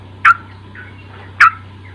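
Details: Sooty-headed bulbul song used to encourage an untrained young bird to sing: two loud, rich, slightly rough notes just over a second apart, with faint softer notes between, over a low hum.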